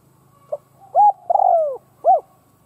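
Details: Spotted dove used as a decoy, cooing to provoke rival doves: a soft opening note, then a level coo, a long falling coo, and a short arched final coo in one phrase, against a faint steady hum.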